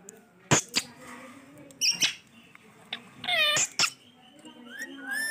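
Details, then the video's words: Male ringneck parrot vocalising: sharp high chirps and squeaks scattered through, with a brief harmonic, speech-like phrase falling in pitch near the middle, over faint room background. "Different Talking/ Amazing voice ringneck male parrot"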